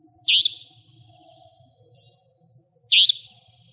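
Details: Savanna nightjar, a nocturnal territorial resident, in Pingtung County, Taiwan, next to a house, giving two sharp, high, rasping notes about two and a half seconds apart over a faint low hum.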